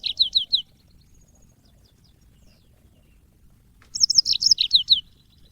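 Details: African Mozambique bird, the yellow-fronted canary, singing as training audio for cage birds: four quick high notes, a three-second pause, then a brisk, bubbling phrase of rapid chirps.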